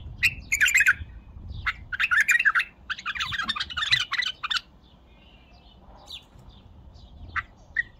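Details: Bulbul pouring out dense, loud, bubbling phrases of chirps and warbles in quick succession, followed by quieter spaced single chirps; some low background noise.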